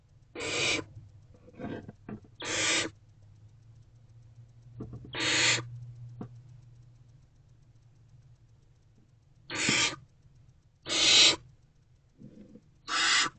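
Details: Barn owl owlets in a nest box, hungry and waiting for their mother at 6:00 pm on 3 March 2024, produce short harsh hissing screeches at irregular intervals, about six bursts, with faint low hum between.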